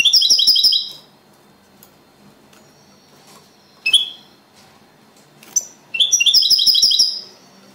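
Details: Copia Malaga song by a second-place champion European goldfinch: a high trilled phrase, then long quiet with isolated sharp chirps, and another ringing twittered trill near the end.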